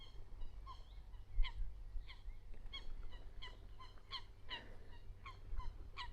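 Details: At a lake in France where great crested grebes swim, coots squabble and fight with sharp, nasal, honking notes, several every second, over a steady low wind rumble; possibly a male and female arguing.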